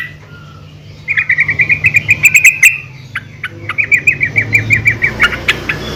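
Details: Female yellow-vented bulbul calling other bulbuls: two runs of quick, bright, clipped notes, each lasting over a second, separated by a short pause, with soft background rumble.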